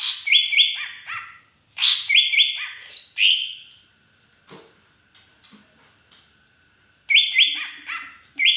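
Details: Big native green leafbird from the Beutong forest, Aceh, delivering drongo-imitating fill-in song: loud clusters of sharp, stepped whistles and rapid chirps in two bursts separated by several seconds of near silence, with a thin continuous high tone behind.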